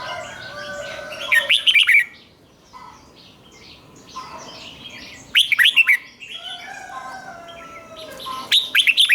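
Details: Red-whiskered bulbul cage bird in 'rik' doubled-song style, aimed at young birds copying it: three quick, liquid phrases of slurred notes, spaced several seconds apart, with low whistles and chirps of other birds behind.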